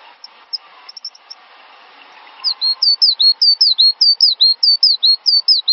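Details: Cinereous tit on a master recording used to train songbirds: a few faint scattered high notes, then a sustained, loud run of sharp whistled down-slurred phrases repeating quickly and evenly for over three seconds.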